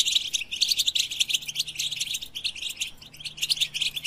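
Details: European goldfinch singing: a rapid, continuous twittering of high, tinkling chirps and trills, dense and unbroken throughout, with a faint low hum underneath.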